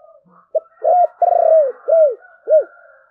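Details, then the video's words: Spotted dove, thổ bầu voice: a clipped opening note, then a coo, a long vibrating, descending roll, and two arched closing coos, over a faint hiss. "cu gáy giọng thổ bầu, nghe cũng hay phết"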